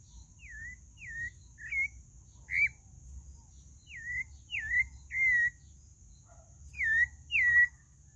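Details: Pale-breasted thrush singing a series of clear, slurred whistles, each note dipping then rising, given in quick groups of two or three with brief gaps, over a faint constant high hiss.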